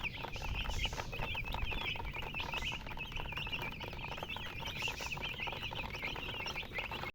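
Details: Hen chicks keep up an unbroken flurry of thin, high peeps, many birds calling at once, over a noticeable low-pitched background noise and faint rustling.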